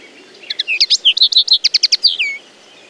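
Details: Loud, close common linnet song: a fast string of sharp, ringing chirps and twangy notes, ending in a downward-sliding whistled note, all high-pitched.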